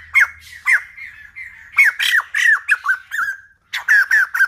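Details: Young white-crested laughingthrush giving harsh, squawking notes that slur downward, in loud bursts about every half second, with one brief pause; used to train juvenile birds' voices.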